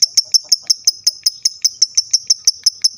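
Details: Lovebird sound for making other lovebirds answer: a steady, rapid string of high, shrill ticking notes, about six each second, evenly spaced throughout.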